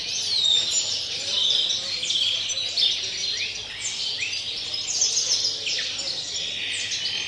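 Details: A European greenfinch sings a continuous, fast run of twittering trills and buzzy, rising notes, a pure wild-type (campero) song recorded 30 December, high-pitched and unbroken throughout, with a faint hum underneath.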